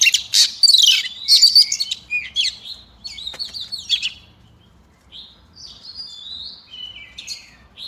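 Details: Female Oriental magpie-robin singing to excite a row of males: loud rapid whistles and chips during the first four seconds, followed by softer drawn-out whistled phrases.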